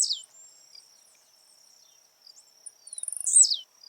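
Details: Live recording of a blue-black grassquit in nature singing the 'de pulo' song. The tail of one phrase is followed by soft ticking, then a full song: rapid high clicks that build to a buzzy, falling note. A steady insect drone plays behind.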